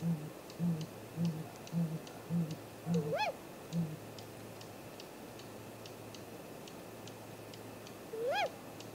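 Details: Great grey owl at the nest, camera-tree vocals at 7:15 am on 2 April 2018: a run of six deep, evenly spaced soft hoots, then two separate arched whistled calls with rising-falling shape.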